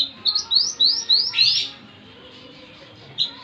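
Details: Kuniran gunung singing: a quick run of five sharp upslurred whistled notes, about four per second, rising into a brighter final note, then a pause and one more short note near the end.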